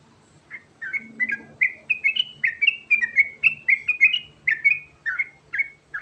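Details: Sooty-headed bulbul ('garuda' trucukan) singing continuously as a lure call to make birds answer: brisk succession of clear, warbled whistles, about two to three per second, with a faint low rumble underneath.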